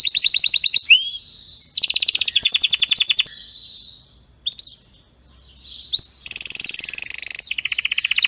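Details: Canary song in pieces: rattling high trills, rising whistles and a buzzy rolled phrase, separated by short quiet gaps with faint background noise.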